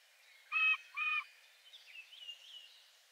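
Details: Song thrush, a second male with a very simple song holding a few unusual sounds: two matching high, ringing notes in quick succession, then faint, softer warbling trailing off against light background hiss.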